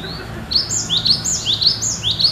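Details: Cinereous tit in steady, vigorous song likened to the wild: a brisk series of loud two-note whistles, a high note then a lower upward-slurred note, repeated about every third of a second over faint low hiss.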